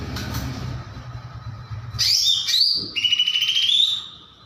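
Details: Greater green leafbird, a popular kept songbird known for mimicking other birds, delivering a chattering song: high thin notes, then a sliding whistle and a long buzzy trill, after low rumbling background noise.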